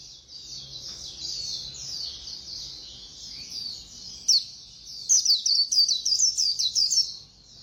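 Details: White-eye singing fast: a continuous high, thin twittering warble, then from about five seconds a rapid run of sharp, bright chirped notes. Faint low background noise throughout.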